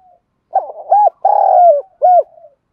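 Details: One complete phrase of a spotted dove cooing in the Đồng Pha voice, used to provoke other doves to respond and fight. Stuttering opening notes lead to an arched note, a long falling coo, then a closing arched coo.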